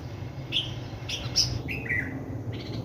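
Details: Two sparrows that visit a big mango tree beside a house every day give a few short, high, separate chirps, some sharp and some slightly buzzy, over a steady low hum.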